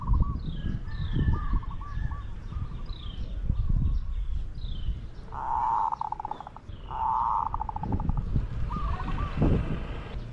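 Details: Spotted dove calling during decoy luring of wild doves: repeated coo phrases, two loud ones mid-way, each a steady tone dissolving into rapid pulses, with softer distant coos, thin high bird notes and steady low rural noise.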